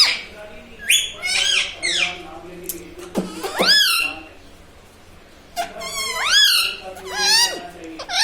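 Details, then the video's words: Talking parrot kept at home, said to say "mummy papa" and "radhe radhe", utters curved, harmonic syllables in two clusters split by a quiet pause of about two seconds, with a few clicks between. "Talking mummy papa|| mummy vala parrot || mithu bolo radhe radhe"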